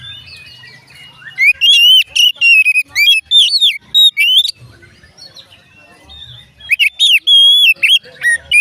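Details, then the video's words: Two bursts of rich whistled song from an Oriental magpie-robin, each a quick series of rising and falling sweet notes separated by a quiet pause with faint chatter; used to get other magpie-robins to join in singing. "dijamin Kacer lain ikut bunyi"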